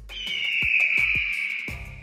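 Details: A red-tailed hawk gives one long, hoarse, high scream lasting about two seconds and sagging slightly in pitch, with faint low thumps beneath; this is the scream often dubbed over eagles in movies.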